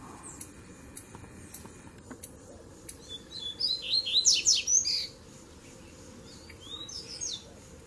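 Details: Tui-tui, zel-zel and mateiro style song of Double-collared seedeaters, used to excite other birds: a few faint chips, then a loud run of bright, fast slurred whistles that fades into softer scattered notes.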